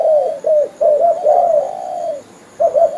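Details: Spotted dove lure sound for trapping: quick hoarse coos building into a long, sliding, falling note, a short silence, then two more coos begin.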